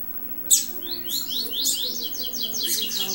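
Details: A young double-collared seedeater starts to sing in the churriar style. After a sharp click, it gives a fast run of high, thin, down-slurred notes repeated in quick succession, forming a rough twittering phrase.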